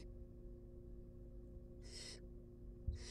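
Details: Baby barn owls being fed in a wild nest box: two short, breathy hissing screeches, the second cut off at the end, with a constant low hum behind them.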